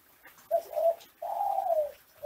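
A ringneck dove coos low and soft: two short hollow notes followed by one long, drawn-out rolling coo, in a quiet room.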